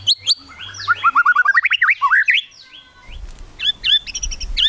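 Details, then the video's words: Varied song of a white-rumped shama, murai batu, in a kretekan style meant to provoke rivals into singing: rapid rising slurred notes in a fast run, sharp high chips, then a lower patch with background rumble. "KRETEKAN MURAI BATU MEMANCING EMOSI, BIKIN LAWAN CEPAT GACOR EMOSI"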